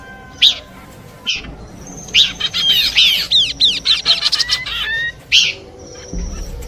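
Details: Horsfield's babbler song combination for luring: isolated loud chirps framing a fast sequence of arching whistled notes and rattling buzzes.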